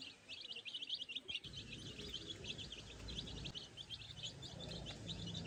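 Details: A group of little chicks exploring grass by themselves peeps rapidly in thin, high bursts, with a low rumbling noise building in the second half.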